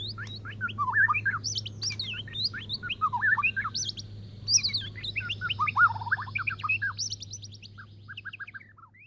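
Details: Courting male white-rumped shama serenading a female: long, varied bursts of quick chips, trills and upslurred whistles at many pitches, with brief pauses between phrases and a constant low hum behind.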